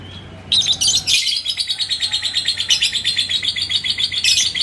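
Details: Ngekek from a yellow labet lovebird in Indonesia, stirred up by a rival's song: after a quiet start, an abrupt burst of shrill, rapidly repeated chattering notes runs on continuously, with brighter harsher accents.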